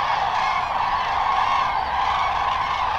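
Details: Common Cranes returning to overnight quarters on Lac du Der-Chantecoq, France, in the late afternoon during migration. Many birds call at once, giving a steady wall of rolling, trumpeting notes with no pause.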